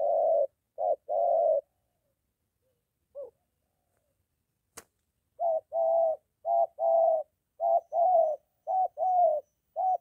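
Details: Spotted dove, a molting trained decoy near home facing a wild male; coo pairs, a quiet gap of about four seconds with a faint note and a sharp click, then a brisk series of paired coos.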